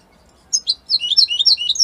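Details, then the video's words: European goldfinch from Italy starts up after brief silence with a couple of high chirps, then a rapid, liquid twitter of slurred notes rising and falling. "من أقوى تغاريد طائر الحسون الجميلة الحسون ايطاليا"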